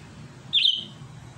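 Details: Sooty-headed bulbul singing to challenge a rival. A lone, quick warbled burst, liquid and slightly buzzy, that holds a moment and then fades out.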